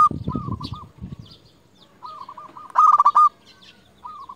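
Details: Local zebra dove singing to lure rivals: rolling soft coo phrases, one loud rapid pulsed burst in the middle, then more gentle coos. Brief rustling at the start.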